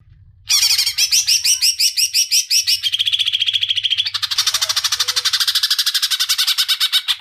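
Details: Greater green leafbird (Chloropsis sonnerati), song: lure song to provoke other caged birds into singing.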